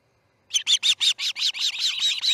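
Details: Osprey at the Charlo nest while a chick fledges, 6:03 am on August 10, 2018: about a dozen sharp, high whistled chirps in quick succession, starting abruptly and running together at the end.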